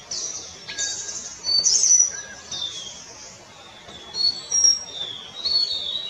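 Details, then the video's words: Palani laughingthrush, a subspecies of the Kerala laughingthrush, giving high, thin whistled and squeaky notes in short bursts, with several birds seemingly overlapping and gaps of quiet between phrases. "Palani laughingthrush (Montecincla fairbanki) - Palani Chilappan"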